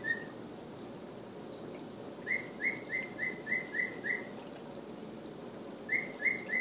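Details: Pet male cockatiel practising the Andy Griffith tune: one lone note, then six quick evenly spaced whistles, silence, and three more starting again.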